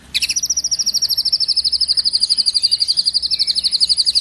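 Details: White-rumped shama filling its song with sparrow and tengkek imitations, delivering a sustained rapid high trill of even, buzzy notes, about eight per second, for four seconds.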